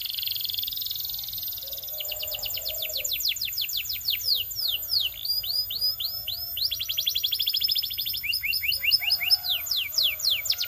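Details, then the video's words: Belgian canary song with a buzzy sustained trill, then long series of sharp downslurred whistles and rapid rolling trills, alternating tempo and pitch across the phrase, all high-pitched and loud. "Belgian Canary Singing"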